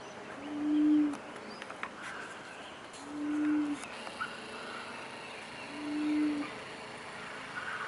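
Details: Laughing Turtle Dove calling in Western Australia: low, soft, steady coos, each about half a second long, repeated roughly every two and a half seconds, three in all, over faint background hiss.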